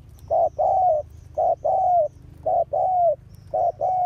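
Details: Spotted dove kept as a ground decoy bird to lure wild doves, recorded August 2021 in rural Vietnam; repeated low hollow coos, short notes followed by longer slurred ones, in phrases about once a second over a low rumble.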